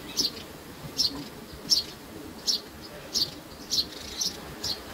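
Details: High, brief chirps from baby sparrows, sometimes doubled, coming roughly every half second to second over quiet background hiss.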